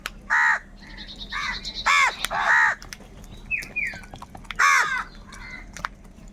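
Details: Several crows squabble over food, giving loud, harsh, arched caws in short bursts about a second apart, plus a couple of softer rising notes midway.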